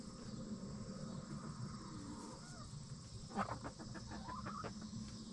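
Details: Backyard chickens in the coop at night, settling before roosting: soft low murmurs, then a quick cluster of short clipped clucks and a brief wavering note, under a constant low hum.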